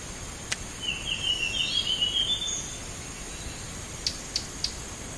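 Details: Single high, fast warbling phrase from a Blue whistling thrush on a bird-trapping lure track, lasting about two seconds, followed by three sharp, evenly spaced clicks against a steady background hiss.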